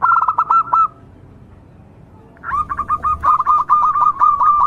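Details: Local perkutut, or zebra dove, singing to provoke silent doves into calling: a short series of fast staccato coos, a pause, then a longer run of evenly repeated notes with faint low rumble behind.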